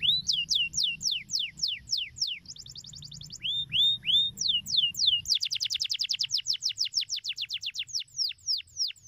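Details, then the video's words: Song of a canary, used to prompt young birds to start singing: rows of high downslurred whistles, then a fast buzzy trill, a few slower swooping notes, and finally a rapid rattling run of clipped notes at a quickening pace. "Cuitan Kenari Untuk Pancing Bunyi Kenari Muda Agar Cepat Gacor"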